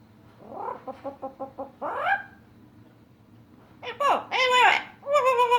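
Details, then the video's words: Female yellow-naped amazon parrot imitating animal noises such as dog, cat and chicken: a quick run of six short clucking notes, then a rising squawk, a pause, and harsh nasal wavering calls at the end. "Amazon parrot making animal noises, talking"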